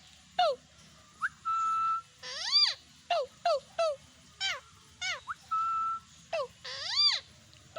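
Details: Indian ringneck parakeet: loud, arched, screechy calls repeated in bursts, mixed with a few level, whistled tones that hold for about half a second.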